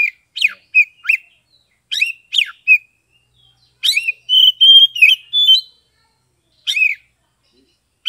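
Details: Oriental magpie-robin from Kebumen, Java, in ngeplong song meant to spur mute or reluctant birds: sharp downslurred whistles repeated quickly, then a run of sustained clear whistled notes and a final pair of sharp notes, in a quiet setting.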